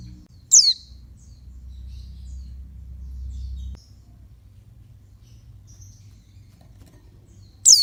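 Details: Calling female oriental white-eye, used to rouse males: one high, steeply falling thin note at the start and another at the very end, separated by a long quiet stretch with low rumbling noise.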